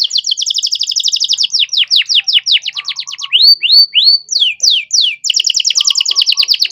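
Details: Full-voiced canary in the cengkok mewah style, recorded as a tutor for learning songbirds. Rapid rolling trills, a run of falling sweeps, several rising slurred whistles, then renewed dense trilling, with faint low chirps.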